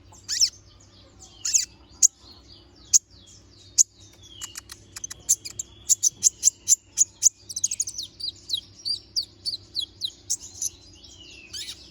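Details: Little spiderhunter (konin) singing sharp song variations: scattered piercing chips, then a long quickening train of high ticking notes and thin slurred whistles.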